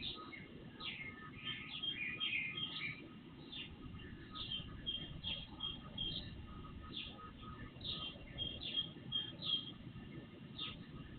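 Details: Birds singing before sunrise into early morning, picked up by an outdoor surveillance camera microphone: busy overlapping high chirps and short warbled phrases, several voices at once, over a steady low rumble of background noise.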